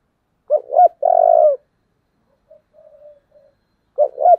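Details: Spotted dove in the strong 'giọng thổ' voice, a model coo for decoy luring. A clipped two-part note, a long full coo, faint soft murmurs, then the two-part opening note begins again.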